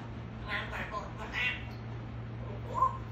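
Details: African grey parrot that is said to answer when asked questions and talk a great deal: quiet speech-like syllables with a few formant bands around the first second and a half, then a short, sharp whistled note near the end, over a steady low hum.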